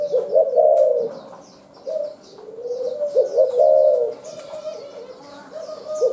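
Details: Wild spotted dove gives low, mellow, rolling coos in phrases of several notes, about every three seconds, while small birds chirp high in the background.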